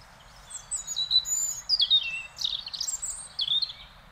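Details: Wild European robin from Beverwijk, the Netherlands, delivering a continuous run of high, liquid warbles and sliding whistles, fast and varied, over faint low background noise.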